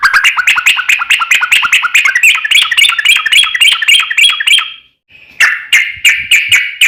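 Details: Yellow-vented bulbul in a long, fast fighting-style song, used as bait to make other bulbuls answer; dense chattering notes repeat several times a second for about five seconds, then a brief pause and more rapid bursts.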